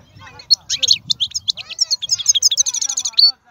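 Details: Wild European goldfinch, praised as the strongest singer among birds, bursting into fast, chattering high notes and a rapid repeated trill after a moment of low background voice.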